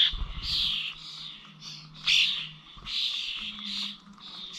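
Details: Common starlings at the Corby old village feeders in November, giving overlapping raspy, buzzy calls in uneven bursts, with a faint low drone in the background.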